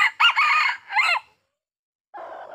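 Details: Red junglefowl decoy rooster used to lure wild junglefowl in a small oil palm plantation in Sumatra; a loud, hoarse, broken crow in three bursts over about a second, followed by a brief rougher sound after a pause.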